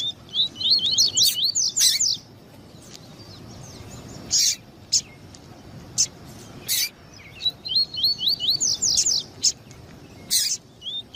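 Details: Double-collared seedeater pair, male and female, calling to stimulate a male before song tournaments. Two bouts of fast, high, wavering whistled phrases are separated by isolated sharp chip notes.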